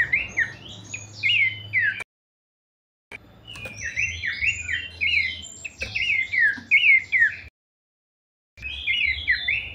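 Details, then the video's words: Kleperan song of a Horsfield's babbler, bursts of bright descending whistled notes strung rapidly together, broken by two short silent gaps, over a low steady hum. "kleperan mewah khas burung pelanduk semak"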